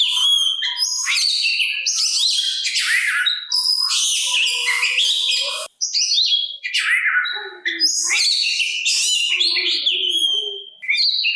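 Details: Kacer, the Oriental magpie-robin, in full continuous song used to draw replies from rival magpie-robins; dense rapid jumble of bright whistles, chattering trills and sliding notes, hardly pausing across the recording.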